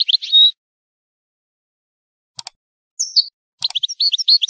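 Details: A brief goldfinch twitter ending in a buzzy note, then silence broken by a couple of soft clicks. A high slurred whistle and a new run of rapid chirps follow. From a tape for tutoring young songbirds.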